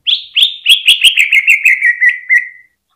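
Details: Greater green leafbird on a hanging pole gives song meant to stir other birds to sing: a quick series of about eleven downslurred chirps, each slightly lower than the last, sliding into a fading whistle.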